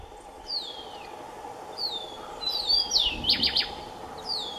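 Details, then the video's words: A Collared Towhee in Colima gives thin, high, downslurred whistled calls about a second apart, with a brief burst of sharper notes, over faint background hiss. "Collared Towhee"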